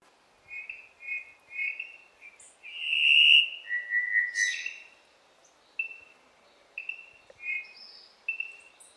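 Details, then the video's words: Cuban Solitaire singing clear, flute-like whistles with a few squeaky, metallic notes in short phrases every second or so over a soft hiss, recorded in Cuba in 2015; finding: Cuban Solitaire. "the song of the Cuban Solitaire"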